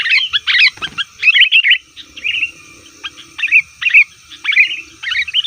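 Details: Sooty-headed bulbul in noisy 'ribut' calling used to lure forest birds: a dense opening burst of high, sharp chirps, a brief knock, then spaced short chattering phrases recurring about every half second.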